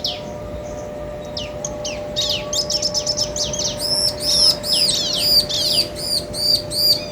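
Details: Bar-winged prinia male and female singing back and forth, meant to provoke rival birds; scattered sharp falling notes build into a fast, regular series of high looping chips repeated about two and a half per second.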